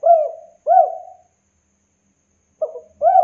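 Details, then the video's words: Local spotted dove in full song: clear, mellow coos, each swelling then sliding down, two together, then a pause and a stuttered short note leading into another coo. "Tekukur Lokal Gacor DOR 100% OBAT MACET, MALAS, BISU Bikin Derkuku manapun jadi Gacor"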